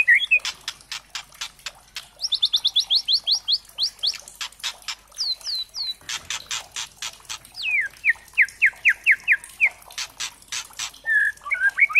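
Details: Murai trotol, the white-rumped shama, singing a lure song meant to make other birds sing: rapid rattling crackles mixed with fast rising whistled trills, repeated downslurred whistles and a closing twittering phrase.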